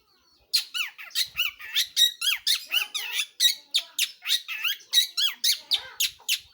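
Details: Long-tailed shrike singing vigorously: a fast run of harsh, scratchy, up-and-down notes repeated almost four times a second, steady and loud after a brief quiet start.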